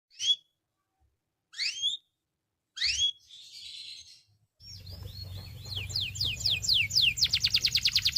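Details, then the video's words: Belgian canary singing, used to teach young canaries: a few separate sharp rising chirps, a buzzy burst, then a run of fast downslurred notes breaking into a rapid rattling trill, over a low steady hum. "SINGING TO TEACH BELGIAN CANARY"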